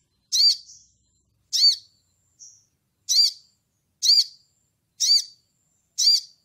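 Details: Brown-throated sunbird, a calling bird used to provoke rival males, giving six sharp, high, chirping notes about once a second, with a faint softer note between some of them.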